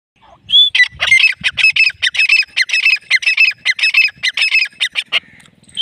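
Grey francolin giving a loud, harsh, rapidly repeated series of squawking notes, almost two per second, in one sustained bout.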